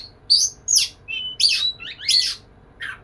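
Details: Oriental magpie-robin (kacer) courting a female, delivering sharp, separate bursts: bright high whistles and buzzy chirps about every half second, one clear level whistle sliding through the middle.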